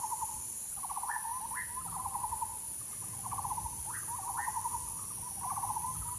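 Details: Bird giving rattling trills broken by quick rising upslurred notes, repeated several times under a steady high-pitched hiss.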